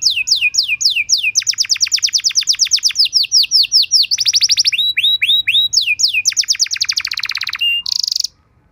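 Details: Domestic canary song played as a teaching and trigger song for other canaries: long, rapid, rolling trills of sharp descending notes, switching to short buzzy tours and a bright rattling burst before stopping abruptly.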